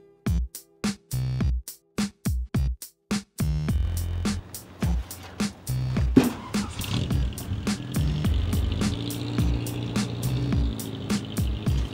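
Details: Rhythmic music with sharp percussive beats over low bass and a steady background rumble; no animal voice can be picked out.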